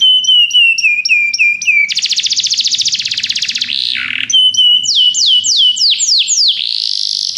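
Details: Belgian canary sings repeated clipped notes, then a dense pulsing buzzy trill, a short dipping note, and a renewed series of bright descending sweeps.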